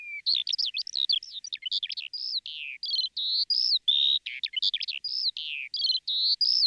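A woodlark sings a continuous, rapid stream of varied whistles, trills and slurred notes, pitched high and with scarcely a pause throughout.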